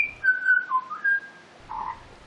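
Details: Butcherbird on rural mountain land in Australia sings rich, fluting whistles sliding from high to mid pitch, then a softer, lower phrase after a brief pause.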